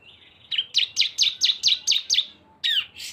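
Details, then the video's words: Cisem song, two birds combined as a lure: a thin high note, then about eight evenly spaced, sharp, descending chirps, ending in a louder harsher burst. "CISEM GACOR ‼️ SUARA BREN kombinasi 2 burung"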